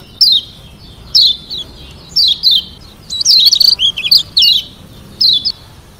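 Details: Lombok yellow white-eye, a caged songbird, in varied song meant to rile rivals into replying; high descending chirps repeated about once a second, then a denser twittering run before the single notes return.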